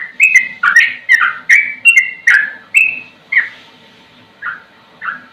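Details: Sooty-headed bulbul (trucukan) with a slow song: loud, clear, slurred whistles roughly every half second, some falling and some level, growing softer and more spaced toward the end.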